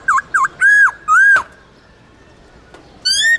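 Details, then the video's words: Wild-style forest song of a Central Highlands white-cheeked laughingthrush, played to train caged birds: two short dipping whistles, two longer arched whistled notes, a pause, then a clear rising whistle. "Luyện khướu bạc má Hót Giọng Rừng kích khướu hót cực sung/khướu Tây Nguyên hót giọng rừng âm dài rõ"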